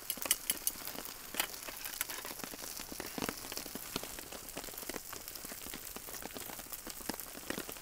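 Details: Rain pattering and crackling on a tent while camping, a dense stream of sharp clicks and taps with no animal sound.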